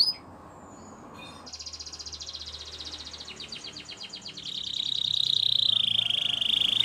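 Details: Russian canary, quieter and farther off, giving rapid trills that turn into a sustained buzzy warbling note, over steady broadband background noise.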